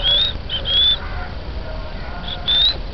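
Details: Oriental magpie-robin giving a few sweet, high, drawn-out whistles that rise slightly, with short pauses between phrases and a faint low rumble beneath.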